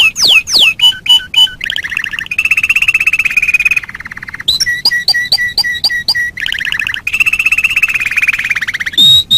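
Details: Canary tutor song for training birds: loud, varied phrases mixing sharp sweeping notes, long rolling trills and rapid repeated chips, each phrase shifting pitch and tempo.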